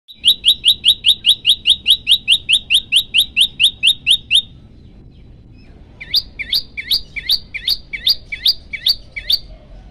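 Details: Prenjak lumut (olive-backed tailorbird), hungry and singing actively: a rapid series of sharp high chips repeated about four per second for four seconds, then after a pause a slower run of louder downslurred chirps.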